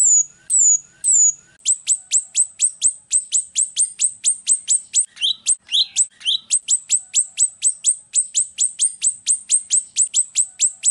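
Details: Golden-bellied gerygone song used as a training and lure recording: three drawn-out high descending whistles, then a long rapid series of sharp, high downslurred notes about four per second, with a few lower chirps midway.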